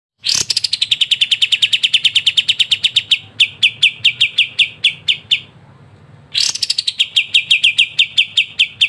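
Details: Kapas tembak in lively ngebren style, used as a master song for training songbirds: long runs of rapid, evenly spaced sharp chirped notes, each series opening with a brighter burst, separated by a short pause.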